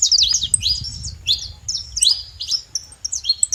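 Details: Wild flock of saffron finches, sharp rising and falling chips delivered in spaced groups about every half second, some overlap between birds, low rumble behind.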